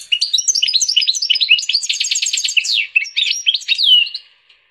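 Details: Canary and Portuguese goldfinch hybrid singing a continuous, varied warble of high twittered notes with a short rapid trill, ending in a drawn-out descending whistle.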